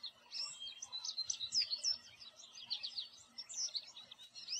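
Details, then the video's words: An American goldfinch sings from a tree in a backyard: a steady, continuous stream of high, rapid, warbling twitters and chirps with no pauses. "American Goldfinch Call, Song and Sound"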